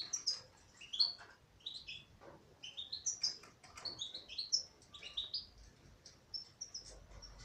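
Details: Singing female European goldfinch: a lively, continuous twittering run of quick rising and falling chirps and short trills, rambling without a set rhythm, ending in thinner high notes.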